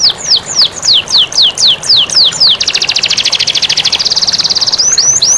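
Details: Canary master song meant to encourage lazy canaries to sing, over flowing water. About eight sharp descending whistled slurs lead into a dense, rapid, high trill lasting around two seconds, then the down-slurred whistles return.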